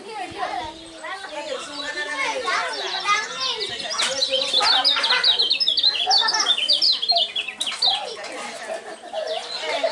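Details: Lemon-bellied white-eye, a champion songbird, singing a rapid, dense stream of high twittering chirps and short trills. The notes overlap almost continuously, and low murmuring voices run faintly underneath.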